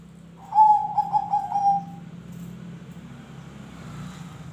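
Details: Zebra dove song, used to prompt other birds to sing: a single short phrase of pulsing coos, followed by steady low traffic-like rumble and hiss.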